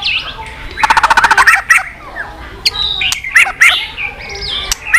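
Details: White-rumped shama with a fast burst of rapid clicking tạch notes followed by mixed whistles, buzzy snaps and short tonal phrases at moderate volume.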